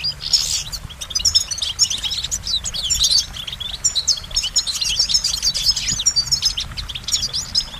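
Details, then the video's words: Goldfinch singing a rapid, continuous twittering song of high, tinkling notes and short buzzy trills, delivered in dense phrases with brief pauses near three and six seconds. "Goldfinch Motivation Performance"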